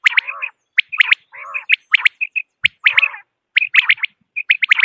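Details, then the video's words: Quail calling for hunters in Pakistan: busy run of sharp chirps in twos and threes, interleaved with lower nasal buzzy notes and a few soft single pips. "Batair ki Awaz | Quail Voice | Part-2 صوت السمان واضح للصيد"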